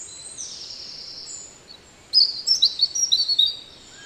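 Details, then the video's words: European robin singing in the Netherlands: a thin high whistle early on, then after a pause a loud burst of sharp, high twittering and warbled notes for about a second and a half. "One Hour Relaxing Birdsong: European Robin"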